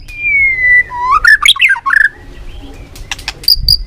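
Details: White-rumped shama song used as a lure for catching birds: a long falling whistle, then a quick run of loud, varied whistled notes rising and dropping, ending in short sharp high chips.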